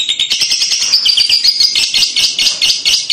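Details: Lovebird kekek song meant to coax a young bird into singing, heard as a dense, continuous stream of shrill, rapid chattering and squeaky twittering notes.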